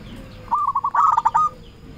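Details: Local zebra dove (perkutut) used as a lure to call rivals: one short, quick run of cooing notes over a noisy, hissing background.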